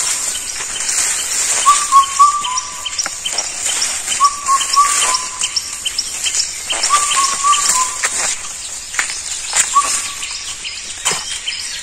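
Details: An Indian cuckoo (Cuculus micropterus) repeats a whistled phrase of three to four notes about every two and a half seconds. Sharp clicks and a strong high-pitched hiss are heard around the bird.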